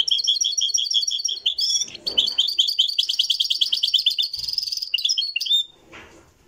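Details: Moroccan goldfinch song recorded live: dense, fast twittering with repeated tinkling notes and buzzy rattles, continuous for about five and a half seconds before stopping abruptly into near silence.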